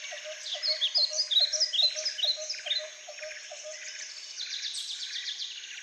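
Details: Several blue-crowned hanging parrots (Loriculus galgulus) in a Schönbrunn Zoo, Vienna enclosure give thin, high, sharp chirps and squeaky twitters in quick overlapping bursts over a steady low pulse repeating about three times a second.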